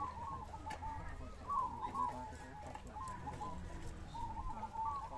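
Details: Zebra doves singing at a mixed-session contest in Ngawi, Indonesia, on 18 September 2022: many overlapping soft, warbling coos near one pitch. The phrases blend into a continuous chorus over low background rumble.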